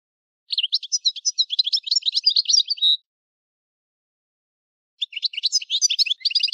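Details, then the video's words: European goldfinch singing a fast, liquid twittering phrase of about two and a half seconds, a two-second pause, then another rapid jingling phrase. "Chant du Chardonneret"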